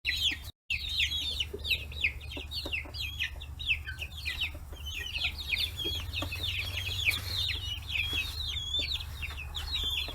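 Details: Forty-day-old free-range chicks crowd around fish heads in Kitahiroshima, Hiroshima, Japan. A dense, overlapping chorus of high, bent peeping chirps continues throughout, with a steady low hum underneath.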